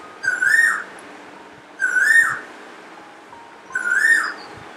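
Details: Parrot in a morning recording with natural sound gives three harsh, ringing screeches, each rising then dropping, spaced nearly two seconds apart over a quiet background.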